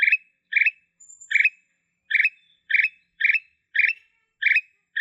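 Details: Black-capped bulbul in blorok style: a brief, bright, bubbling phrase repeated steadily roughly every half second, with one faint high thin whistle early on and a quiet background.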